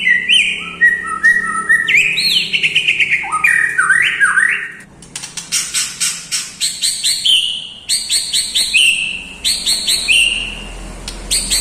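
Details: White-rumped shama song filled with mimicked lovebird, kapas tembak and cucak jenggot phrases: varied whistled slurs rising and falling, then bursts of rapid high chattering trills and sharp repeated notes, loud and continuous with brief pauses.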